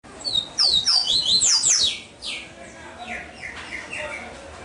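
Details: Captive double-collared seedeater from a breeder in Salvador, Bahia, Brazil, singing a fast burst of high, bright whistled notes with sharp sweeping slides, repeated quickly for about two seconds, then softer scattered chips fading off.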